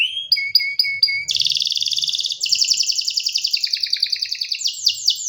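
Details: Canary singing quickly changing tours: a few whistled slurs, a dense buzzy trill, then descending rattling series and sweeping high notes, all very high and rapid.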